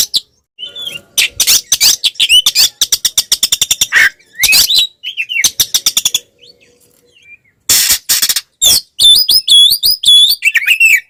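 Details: Oriental magpie-robin singing an aggressive fighting song used to provoke rivals; dense runs of rapid clicking chips, harsh rasps, then a lively series of high, looping whistled phrases near the end.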